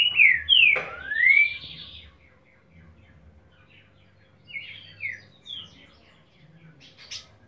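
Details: Green-winged saltator singing the boiadeiro song style: a loud burst of slurred whistled notes, some falling and one long rising sweep, then quieter, softer whistled fragments after a pause.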